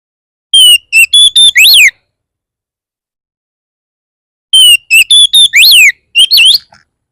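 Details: Oriental magpie-robin phrase repeated twice, about four seconds apart, to make other magpie-robins sing: loud clear whistles, flat and swooping, in quick series, with silence between.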